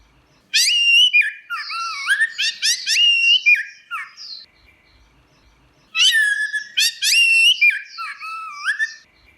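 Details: Orange-headed thrush singing in teler style: loud, rich whistled phrases sweeping up and down, some with quick stuttered notes, in two bursts separated by a short pause; clean, no background sounds.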